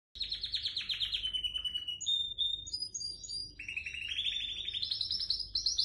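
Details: A home-bred white dominant canary sings continuously, with rapid rolling trills and bright whistled phrases that rise and fall, then shift into fast chattering tours. No other sounds are heard.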